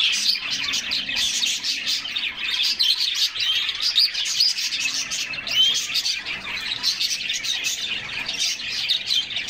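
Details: A flock of canaries singing as they splash in a bath during summer; bright twittering chorus with scattered clear whistled slides rising above rapid, overlapping trills.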